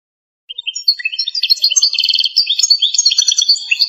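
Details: Canto campero song of an Algerian goldfinch: after a short pause it launches into a rapid, rising flow of high twittering and trilled notes, dense and unbroken, in silence otherwise.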